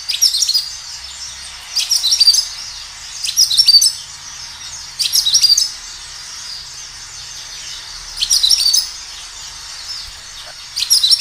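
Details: Energetic kinoi song recorded in nature and used as a lure for other kinoi: short bursts of bright, high chirps and slurred notes. Each burst lasts under a second, with gaps of one to three seconds between bursts.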